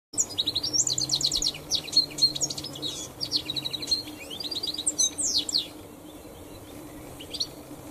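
A finch sings a rapid, high jumble of chirps and twittering trills in bursts for about six seconds, over a faint low hum.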